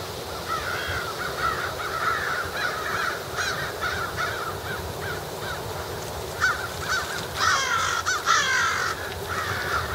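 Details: Many crows calling while feeding before gathering to roost, a dense chorus of different caws, harsh and nasal, overlapping continuously, with louder raucous bursts toward the end over steady outdoor noise.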